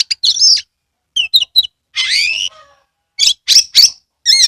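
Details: Oriental magpie-robin, Kebumen in Central Java, giving energetic song with tail fanned: a sweet whistled phrase, scattered sharp chips, then a long rising slurred whistle followed by loud clipped notes.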